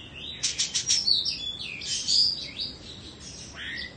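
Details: Indonesian Oriental magpie-robin kept in a cage, a two-season bird, delivers a quick series of high sharp chips followed by sweeping clear whistles and a falling slurred note.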